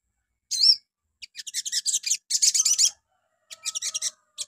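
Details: Morning crimson sunbird song intended to spark replies from other birds: one bright wavering whistle opens, followed by dense high-pitched chittering bursts with a faint steady tone underneath.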